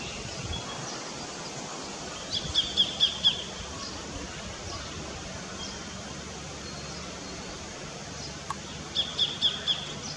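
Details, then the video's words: A sacred kingfisher in an Australian backyard gives two bursts of four or five sharp, high 'kek-kek-kek' notes, several seconds apart, over a steady outdoor hiss. "𝐁𝐢𝐫𝐝 𝐂𝐚𝐥𝐥𝐬/𝐒𝐨𝐧𝐠𝐬/𝐒𝐨𝐮𝐧𝐝𝐬 ~𝐒𝐚𝐜𝐫𝐞𝐝 𝐊𝐢𝐧𝐠𝐟𝐢𝐬𝐡𝐞𝐫"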